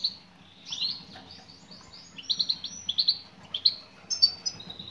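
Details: A female European goldfinch calls to attract a male. Quick, high, tinkling chirps run together in fast, uneven bursts, the louder notes grouped in pairs and triplets.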